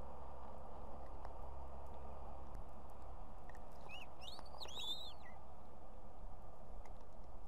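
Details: Female osprey at an Estonian nest holding two chicks, calling the male to bring food, July 2016: a brief cluster of rising whistled yelps midway, otherwise low background rumble.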